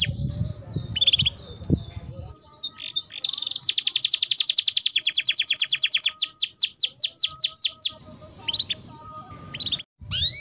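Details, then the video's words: Timbrado canary song: after scattered chips and some low background rumble, a long rolling trill of rapid clicks begins, slowing into separated downward-slurred notes before fading to quiet chirps. "Canary Bird Singing Timbrado canary singing beautiful melody"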